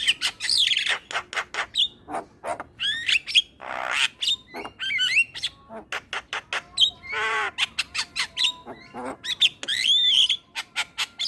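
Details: Male black-winged starling singing, used as a lure for starlings: a rapid jumble of harsh squawks, buzzy bursts, clicks and bright whistled notes, phrases packed tightly with brief pauses throughout.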